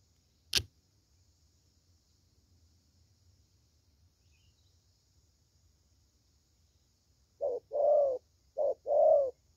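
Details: Young spotted dove, 'thổ' cooing style, good voice: a sharp click early, several seconds of quiet, then two short-long coo pairs at the end.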